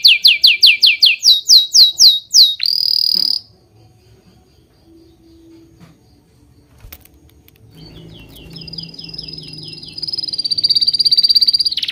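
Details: Bird chirping: a run of quick down-slurred whistled notes about three per second, then a buzzy burst, a long silence, and a thin rising whistle that swells at the end.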